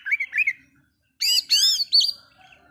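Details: Oriental magpie-robin song meant to provoke other birds: two soft rising whistles, a pause, then loud harsh ringing notes with arching overtones and a short sharp whistle, in clean quiet surroundings.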